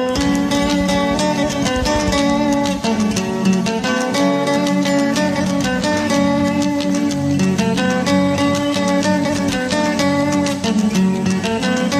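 Plucked-string music with a steady, rhythmic guitar-like melody plays throughout, with no animal voice heard.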